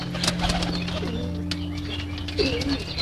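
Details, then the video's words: Loft pigeons being fed give low, bending coos, one early and one longer rolling coo near the end, against quiet ambient background music and faint rustling. "Pigeon Sounds, Feeding Pigeons"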